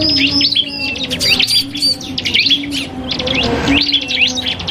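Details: Iora, called cipoh kristal, trading song with a prinia: fast, high, sharply slurred notes packed closely together with a brief lull near the middle; a low hum runs beneath.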